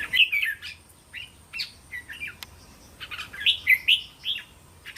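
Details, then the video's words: Red-whiskered bulbul in linked 'tor' song style, meant for young cage birds to learn from. Bright warbled phrases of three to five notes come in two bursts separated by a quieter gap of scattered notes. "เสียงนกกรงหัวจุก เสียงยั่วๆๆสายต่อ"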